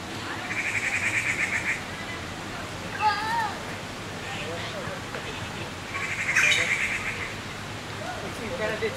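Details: Young Taiwan blue magpies, grown but still begging for food from foraging parents at Qianshan Park, Yangmingshan, Taipei: harsh, buzzy, rapidly pulsed calls in two long bursts, with a man talking between them.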